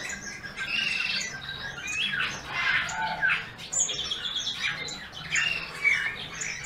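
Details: Eurasian bullfinch (Pyrrhula pyrrhula), song.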